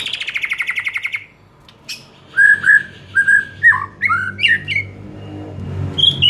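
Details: White-rumped shama song used as a training master recording: a fast buzzy trill lasting about a second, a pause, then a string of clear whistled phrases near the middle of its range, some sliding downward, with a low hum beneath.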